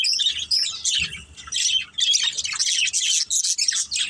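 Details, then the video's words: Pet budgerigars from a family group at play, giving harsh squawky chirps and fast chattering, dense and high-pitched, with faint low thumps early on. "Beautiful Budgies Chirping Sounds"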